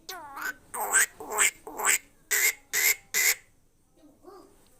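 A talking bird gives a quick run of about seven speech-like syllables, nasal and buzzy with a bright edge, roughly two per second, then falls to a soft murmur.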